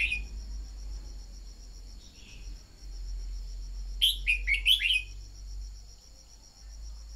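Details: Lure song of a red-whiskered bulbul, played to get birds singing; a faint note opens, then around four seconds a lively phrase of four or five slurred whistles rings out over low rumbling background noise.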